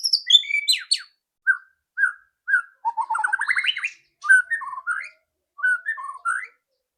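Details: White-rumped shama song used to coax a bird into singing quickly: high sweeping whistles, a rising rattling trill in the middle, then short lower whistled phrases with pauses between.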